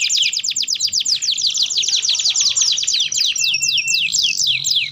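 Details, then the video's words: Canary in continuous chattering song, used as a lure to help other canaries learn to sing: long runs of rapid, high, downslurred notes repeated many times per second, shifting tempo without pause, over a faint low hum. "Kenari Gacor Dor || Ampuh Untuk Pancingan Kenari Belajar Bunyi"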